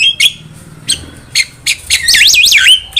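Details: Javan myna song used as a trapping lure and training recording: short sharp chirps in an irregular series, then a loud, fast up-and-down warbling whistle ending in a steady high note, over faint low rumble.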